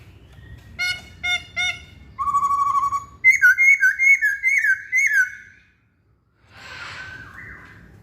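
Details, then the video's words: Masked laughingthrush song opening with short, ringing, harmonic-rich notes. A steady whistled tone leads into a loud run of buzzy, warbling phrases, then a pause and a faint, noisy note. "Kicauan Poksay Hongkong"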